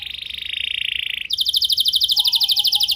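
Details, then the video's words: Canary song to stimulate other canaries: a buzzy sustained rolling trill, then a brighter rapid chattering trill of repeated notes, with a soft low whistle underneath. "Bakal Terpancing Jadi gacor Panjang Burung Kenari Lain Segala Kondisi!"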